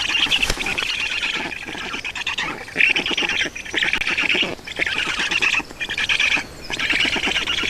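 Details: Feeding at a black stork nest in Estonia, 31 May 2019, afternoon: grating, buzzy squawks given in rapid runs broken by brief gaps, steady and loud throughout.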